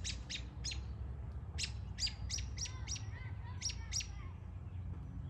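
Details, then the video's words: An American robin gives various calls, possibly laughing and alarm calls: sharp, high, clipped calls in quick bursts, some paired with thin whistled notes, over a low steady rumble. "Laughing And Alarm Calls? American Robin Various Calls"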